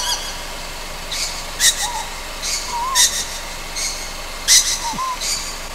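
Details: Juvenile Ryukyu scops owl at night on Amami Oshima, giving short raspy hissing bursts about every 1.5 seconds, with faint soft wavering whistles between them.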